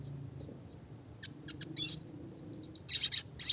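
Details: Classic red siskin singing actively in a clear voice, used for training small songbirds with roll and tembak variations: bright high chirps in short bursts, some quick trilled groups, against a faint steady high tone and low background hum.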